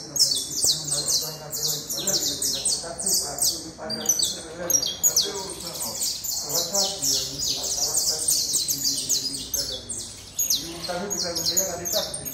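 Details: Saffron finch (canario da terra) chorus of continuous high chirps and downward-sliding notes, overlapping densely for several seconds, with low murmuring noise below.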